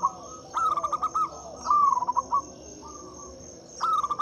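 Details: Local Zebra Dove song played as a lure for doves that rarely sing: quick series of short, evenly spaced cooing notes in two phrases, with a quieter phrase between and a constant high-pitched hum behind.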